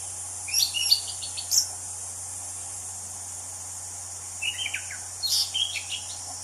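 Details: Wild orange-headed thrush delivering two rapid phrases of stacked chirps and short whistles, separated by a three-second pause, with a continuous high insect drone behind.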